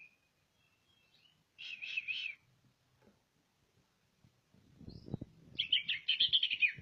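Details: Greater green leafbird from Ngawi, East Java, with a brief buzzy chattering burst, then after a gap a rapid run of harsh trilled notes over rustling and knocking noises.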